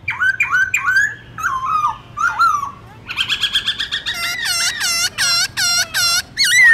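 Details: Black-throated laughingthrush giving forest-style morning song: three looping whistled phrases, falling slurs, then a fast chattering run and loud evenly repeated harsh notes about twice a second, ending on a clear whistle.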